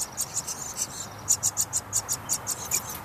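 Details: Young house wrens at feeding time calling insistently; rhythmic high-pitched wheezy hisses repeated several times a second, growing louder partway through.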